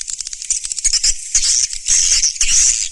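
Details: Swiftlets in a newest master recording: dense, high, rapid chittering and twittering with buzzy bursts that come in waves and swell louder after the first second, with faint low thumps underneath.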